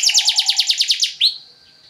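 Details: Canary lure song to stimulate other canaries: about ten evenly spaced buzzy pulses, then a single rising whistle fading into a thin held note.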